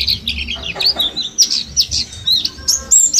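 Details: Mountain white-eye of Mount Slamet origin, caught in a bulk lot and ten days into learning forest-style song, gives bright high twittering notes and quick downslurred whistles in uneven bursts over faint background hum.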